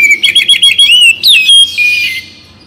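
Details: Oriental magpie-robin singing, morning or evening: a quick series of short whistled chirps, a rising-falling slur and a high swept note, then a buzzy warbling phrase that fades out.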